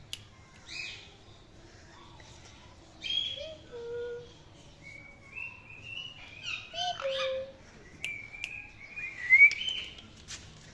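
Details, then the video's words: Chirping Indian ringneck parakeet produces a varied run of short chirps, clear whistled notes, buzzy bursts and rising whistles, with brief pauses between them. "Indian Ringneck Parrot Talking and Chirping Sounds"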